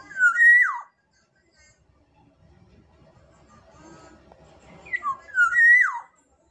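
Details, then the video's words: Black-naped oriole from Sumbawa giving two loud fluty whistled phrases, each a quick rising-falling note run ending in a strong descending slur, separated by a quiet gap with faint low murmuring. "Kepodang emas Sumbawa"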